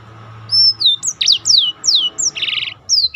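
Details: Black-throated canary singing as a tutor for contest birds, with long high whistles falling in pitch, sharp down-slurs and a harsh buzzy burst near the end, over a low background hum.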